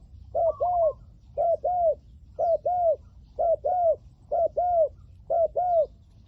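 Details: Spotted dove decoy, 'liu tan' voice type, calling to attract wild doves: crisp double coos, a brief note and a longer arched one, repeated about once per second in a regular rhythm against low rumble.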